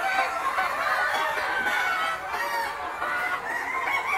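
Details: Noi, bantam and crossbred chickens ranging freely through a large yard, foraging: busy overlapping clucks with a few drawn-out, slightly rising calls standing out over a steady flock murmur.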